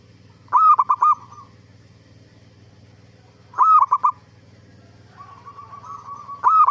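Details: Zebra dove song used as a lure to make other zebra doves answer: rolling, bubbly coos given in short bursts of a few quick notes about every three seconds, with a soft low hum behind.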